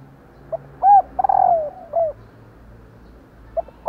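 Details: Female spotted dove calling to stir males into cooing: a soft short note, a clear arched coo, a long descending note with a trilled, stuttering start, then a downslurred coo, over a quiet background.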